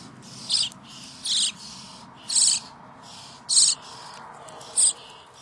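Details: Common starling chicks begging at feeding time: harsh, hissing rasps in bursts of about half a second, five in a row spaced roughly one second apart, against a faint background hum.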